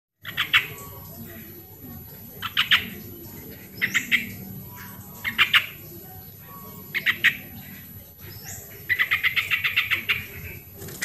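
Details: Sooty-headed bulbul, original recording used as a lure to get lazy bulbuls singing: six bursts of quick, scratchy, chattering notes near the middle of the range, each burst under a second and repeated every one to two seconds, over a low background hum.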